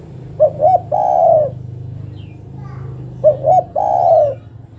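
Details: [7, 'Female derkuku, the spotted dove, calling out to a male, repeating a three-part phrase twice, two short bouncing coos and one long drawn croon, over a low steady hum.']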